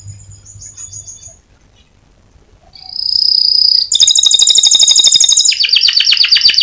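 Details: Canary (Serinus canaria) singing a competition-winning song used as a master recording to train other birds, 2022; after a quiet start, loud high sustained whistles give way to rapid rolling trills and fast chopped descending notes.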